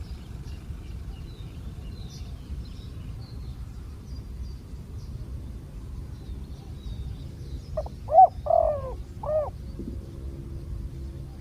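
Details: Wild spotted dove with a big coo, answering during a decoy luring session. After long quiet with steady low background noise, a single phrase near the end: short choppy notes then a drawn-out coo and a final clipped note.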